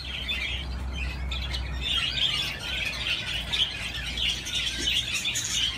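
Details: A budgie at play on a swing chatters steadily in a soft, scratchy warble of rapid chirps, over a low steady hum.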